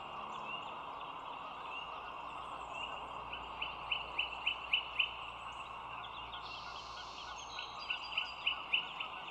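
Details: Bald eagle heard from a nest camera with an overhead view at the Dulles Greenway, 25 March 2022 at 07:16; short, high, piping chirps in two quick runs of about five notes each over steady background hiss.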